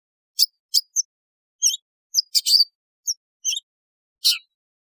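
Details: Long-tailed shrike (cendet) calls, presented as sounding as in the wild: about nine short, harsh, rasping chips in irregular bursts, some doubled, over a fully silent background.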